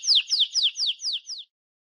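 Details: Canary singing: a quick series of six clear, high whistled notes, each sweeping sharply downward, repeated about four times a second before stopping abruptly into silence.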